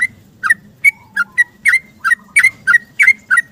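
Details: A yellow-vented bulbul's rapid morning 'ropel' song, used for luring quiet birds and described as calling for a mate or companion. Ten or so snappy notes, each a low dip sliding into a brighter whistle, repeat roughly three per second.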